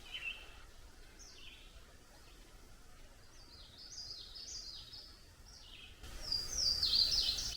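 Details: Northern Waterthrush sings by a roadside in mixed forest near lakes, southeastern Ontario, around 7 am on 25 May 2023: a quick series of bright, sharp, high notes growing louder toward the end, over steady outdoor hiss.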